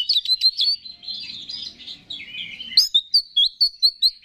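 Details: Oriental magpie-robin in vigorous song, played to provoke other males: quick chirps and a flowing warble, then a sharp upward note and a regular series of loud whistled notes.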